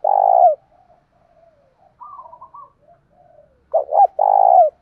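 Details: Decoy spotted dove with loud 'thổ đồng' lure voice, calling to provoke fights: a long throaty coo, quiet warbling murmurs, then another phrase of two rapid hoots and a sustained vibrating coo.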